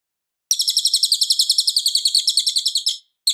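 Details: Cililin singing loudly and clearly, used to train white-rumped shamas: one long rapid trill of about twenty-five sharp, high chirps over two and a half seconds, then a new phrase starting at the end.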